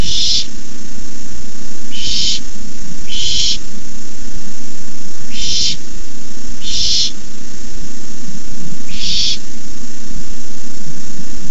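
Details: Owlets of barn owl hissing from the nest at night while an adult brings in a rabbit; six harsh noisy hisses spaced irregularly, one to two seconds apart, over a constant low hum.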